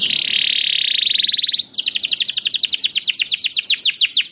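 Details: Canary song played to make other canaries sing: a dense buzzing roll that holds one pitch, then a rapid trill of sharp, regularly repeated notes.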